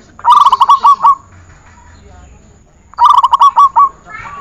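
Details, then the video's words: Zebra dove singing on a training recording, two bouts about three seconds apart, each a rapid run of seven or eight throaty, bubbling coo notes at a steady pitch, with near silence between phrases. "Masteran perkutut 1 jaman"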